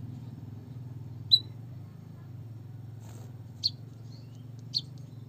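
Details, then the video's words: White-headed munia calls, used to stimulate lazy birds to sing. Three brief thin high peeps sound at irregular intervals over a steady low hum. "pancingan emprit kaji malas bunyi biar gacor"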